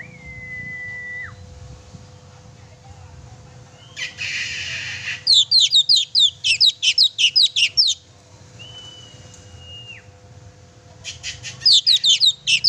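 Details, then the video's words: Vigorous oriental magpie-robin song meant to stir a pet magpie-robin to sing: quick runs of bright, high, twisting chirps in two bursts, with thin drawn-out whistles in between and a brief hiss before the first burst. "kacer gacor sangat cocok buat memancing emosi burung kacer kesayangan kamu"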